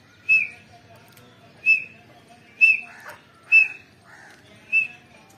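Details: Female grey francolin, recorded 29 November 2022, gives five sharp, high, clipped notes about every second, with softer, lower notes between them.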